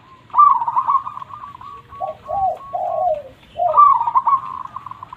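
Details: Loud local perkutut, or zebra dove, from Indonesia, in song meant to make reluctant birds sing and to lure wild doves. A rolling high coo, then three lower, falling notes, and the rolling coo returns.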